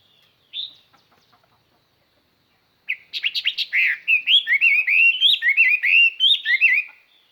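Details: Decoy Chinese hwamei singing to lure wild birds, with a clear, far-carrying voice: after one short early note, a rich run of rapid, varied whistled phrases with rising and falling slurs pours out for about four seconds.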